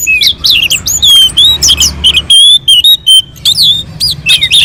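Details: Singing orange-headed thrush on a mountain slope, used as a lure for other birds: clear, high whistled slurs and squeaky chirps in quick bursts, with brief silent gaps.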